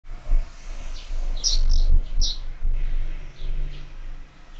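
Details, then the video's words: Sparrows at a feeder mounted on a window, giving a few short high chirps in a cluster midway, against loud low rumbling background noise. "Воробьи в кормушке"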